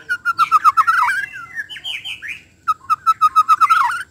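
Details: White-rumped shama sound used to draw out its repertoire quickly: rapid repeated whistled notes, a scratchy warbling interlude with higher slurred phrases, then the fast repeated notes again.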